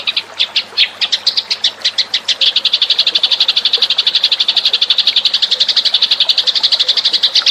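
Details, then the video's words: House sparrow lure call: dense, rapid chirping, starting in spaced pairs then running into a fast even series of sharp chirps, about four per second, steady and loud throughout. "suara pikat burung gereja"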